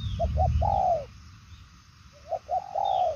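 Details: Spotted dove (đồng son chân tím type) cooing in a fast style: two short notes then a long, slightly falling coo, phrase given twice, over low rumbling noise with faint high chirps.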